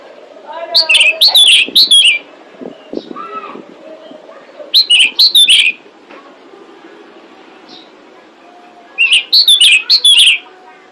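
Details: Female pied bushchat calling to attract males, a lure for other birds: three bursts of bright, high chirping notes in fast runs, with softer lower chirps and faint background noise between the bursts.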